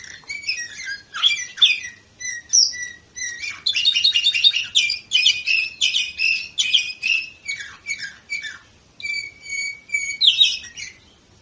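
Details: Canary song recorded 2018 in Varna, Bulgaria: varied chirps leading into a long, dense rapid trill, then steady repeated clear whistles and a final rich warble.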